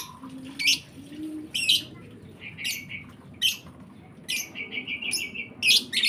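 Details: Lovebird chicks calling, bursts of high, harsh, scratchy chirps every second or so, one stretch of rapid repeated short notes, over a low background murmur.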